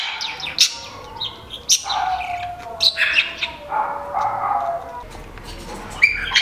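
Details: Great-tailed grackle calling in a garden in Nezahualcóyotl, northern zone, State of Mexico: sharp dry clicks spaced about a second apart, a sustained mid-pitched tone, and a quick rising whistle at the end.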